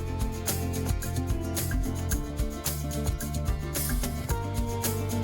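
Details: Upbeat plucked-guitar music with a steady rhythmic bass and percussive strums throughout; no animal voice is heard.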